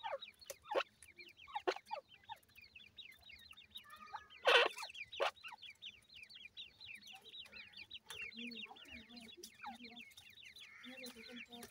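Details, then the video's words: Newly hatched grey francolin chicks in the new season, many thin, high peeps overlapping in a continuous rapid chatter, with scattered sharp clicks, one loud rustle midway and soft lower clucking toward the end. "grey francolin new season new chicks"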